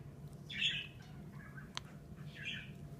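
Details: A pet African grey parrot gives two harsh, raspy squawks about two seconds apart, with a sharp click between them, over a steady low indoor hum.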